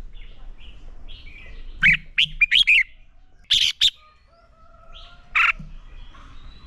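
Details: Fighting song from a red-whiskered bulbul decoy used in training: a quick burst of warbled whistled notes, a pair of sharp chirps, then a single loud chirp amid faint distant twitters.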